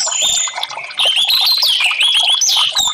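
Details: Therapy recording of orange-headed thrush song for caged birds that have stopped singing: rich, fluid whistled phrases sliding up and down, interwoven with rapid clicking notes, sustained and loud throughout.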